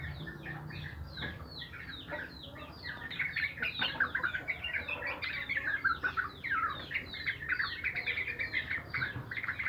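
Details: Morning song of the Sooty-headed bulbul: quiet at first, then a lively burst of rapid chattering chirps and downslurred whistles from several birds, continuing to the end.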